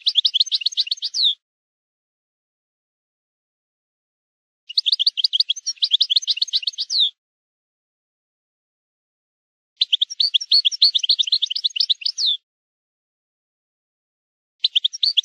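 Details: Maknin song of a European goldfinch, meant for tutoring youngsters: four separate bursts of fast, high, tinkling twitters, each one to two and a half seconds long, separated by roughly three-second silences.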